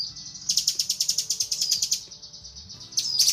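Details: A female cucak kinoi calls for the male with a steady run of quick, high, pulsed chirps, about six a second. A short dip follows, then a louder burst of chirps.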